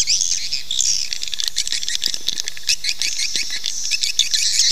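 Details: Swiftlet calling sound played to lure swiftlets to nest quickly: a dense, continuous chorus of high, sharp twittering chirps and buzzy trills from many birds, overlapping without pause, with faint clicks between them.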